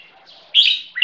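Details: Red-whiskered bulbul × yellow-vented bulbul crossbreed from a champion bloodline, 1 year 6 months old, benchmark song: two bright, slurred whistled notes, each falling slightly, half a second apart, over faint background chatter.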